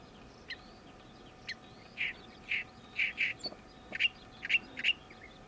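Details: Oriental reed warbler singing in summer after arriving this season: loud harsh grating notes given singly and in pairs, roughly two per second, with fainter thin calls between them in the background.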